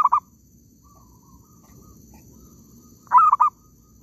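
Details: Zebra dove in an oil palm plantation during trapping. The tail of one phrase opens the recording, then after a near-silent gap comes a single clear coo of three or four quick, soft notes.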